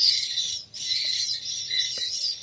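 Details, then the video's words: Swiftlet lure sound, an edited stereo left-right mix of call and roosting sounds played to attract swiftlets into a bird house: dense, continuous high chattering twitters, overlapping and buzzy, with a brief pause near the start. "SUARA WALET"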